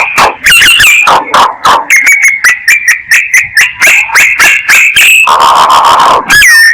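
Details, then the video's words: Myna giving a lure call: rapid chattering of short clicks and squeaks interwoven with clear whistles near one pitch, several upward-slurred whistles, and a brief harsh rasp before a closing whistle. "Tiếng Chim Sáo Kêu Mồi"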